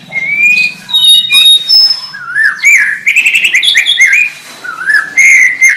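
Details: White-rumped shama song: rich whistled phrases with long, pure high notes, rising and falling slurs and a buzzy trill burst, delivered in separate bursts with brief pauses.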